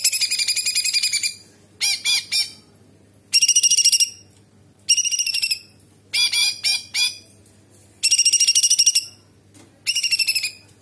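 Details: Busy cucak cungkok bulbul singing sharp nyerecet phrases with kapas tembak fill: rapid pulsed high bursts, several quick doubled or tripled harsh notes, and longer trilled runs spaced by short pauses.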